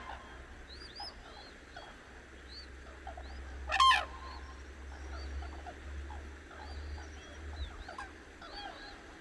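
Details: Dawn chorus of cranes on Cheorwon's Hantan River, central Korean peninsula: one loud, rich trumpeting call near the middle stands out above many softer distant honks and overlapping high, thin bird chirps, with a low background hum.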